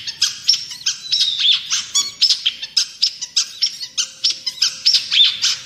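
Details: Long-tailed shrike in energetic song for songbird tutoring: dense scratchy chattering with quick harsh notes and brief whistles, several notes each second throughout.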